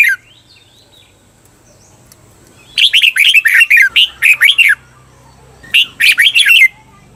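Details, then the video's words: Red-whiskered bulbul, training recording for cage birds in the doubled 'beun' song: after near silence, one long run of about ten sweet, slurred notes, then a shorter phrase of five notes a second later. "เสียงฝึกเบิ้ล นกกรงหัวจุก เปิดสอนเบิ้ลยาวๆ เบิ้ลได้แน่นอน"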